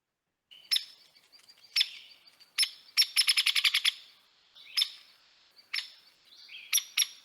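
Hairy Woodpecker: sharp, loud peek notes spaced about a second apart, broken by a quick, rough, descending rattle of a dozen notes.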